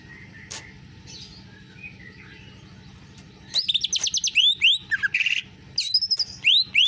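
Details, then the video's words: Greater green leafbird with canary-type song: after a few seconds of near quiet with faint distant notes, a loud burst of fast high trills, rasping notes and rising whistled sweeps. "Cucak ijo rasa kenari"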